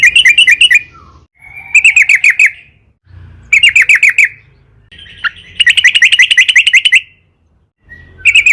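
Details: Sooty-headed bulbul (trucukan) song used as a lure to make other trucukan birds sing: bursts of rapid, bubbling chattering notes around a bright mid-high pitch, each lasting about one second, separated by short pauses.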